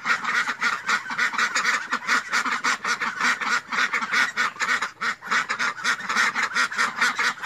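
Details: Continuous chorus of duck quacks, rough and nasal, many birds calling at once with only a momentary dip midway.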